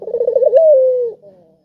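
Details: Melodious, sharp spotted dove call meant to coax quiet doves into calling: a quick wavering, tremulous coo that runs into one sustained, slowly descending tone, then a faint soft tail note.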